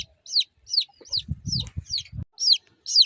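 Young chicken chicks give high, thin peeps that slide downward, about two per second, with a few soft low thumps in the middle.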